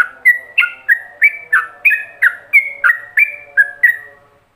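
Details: Master ropelan song of a yellow-vented bulbul for other bulbuls to copy: even run of whistled notes alternating upslurs and level tones, about three per second, fading out at the end.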